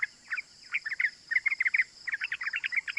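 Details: Yellow-vented bulbul in fast, unbroken 'cuk cuk' chatter, used as a lure to excite other bulbuls into answering; clipped notes tumble in quick runs with a brief pause midway, over a thin constant hiss.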